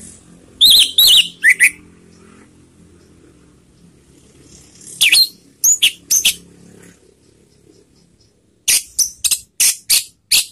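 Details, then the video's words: Orange-headed thrush calls used as a lure for other birds: scattered scratchy rasps and short slurred whistles, a quiet stretch with faint hum, then a regular series of five or six sharp high notes. "SUARA PANGGILAN ANIS MERAH || PANCINGAN bikin cepat bunyi"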